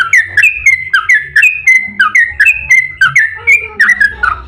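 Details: Yellow-vented bulbul singing a lively 'ropel' song meant to provoke other bulbuls into singing: short liquid whistled phrases, each dipping then rising, repeated roughly once per second, with faint low background hum.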